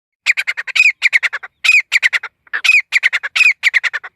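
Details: Grey francolin (desi teetar) call used as a hunting lure: loud, harsh, rapid notes in quick series, with sweeping rising notes among them, repeated in bursts separated by short pauses; a clean recording with no other sounds.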